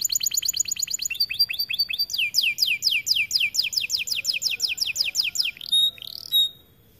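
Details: Kept white AF canary in full song, rapid trills of high descending notes shifting to a slower row of loud sweeping downslurs, closing with short separated chirps.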